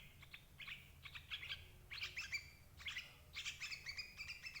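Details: Lure sound of a sooty-headed bulbul for catching adult birds: clusters of quick, sharp chirps separated by short gaps, some notes sliding, over faint low background hum.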